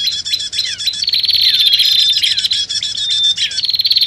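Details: Lure mix of noisy prenjak, the bar-winged prinia, together with sirtu or cipoh (common iora) sounds. High, buzzy, rapid rattles are packed tightly, with overlapping callers and thin whistled notes woven through.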